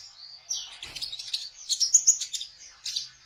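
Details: Kolibri ninja sunbird singing in the trotol style, played as a lure for trapping young birds: high, thin twittering chirps that thicken into a rapid burst of sharp notes midway, with a faint low thump near the start.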